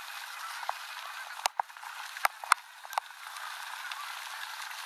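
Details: Canada geese landing on the Rogue River, Oregon, at dusk, honking continuously as a flock; bursts of sharp clicks and knocks from a bicycle on a dirt road cut through the middle of the chorus.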